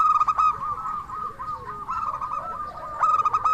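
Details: Local zebra dove in vigorous 'crystal' song, used to draw answers from other doves: bright ringing note clusters at start and end framing a long rolling trill of soft coos.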